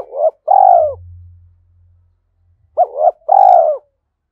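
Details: Spotted dove used as a decoy, calling wild birds in the early morning; two phrases of a short coo followed by a longer, swelling, falling hoot, with a low hum in the pause.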